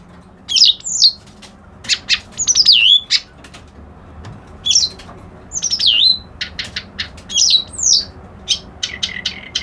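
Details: Kerak basi alis putih, a white-browed reed warbler, delivering loud swooping whistles that fall then rise, alternating with short harsh ticks and rasps in an uneven, repeated pattern.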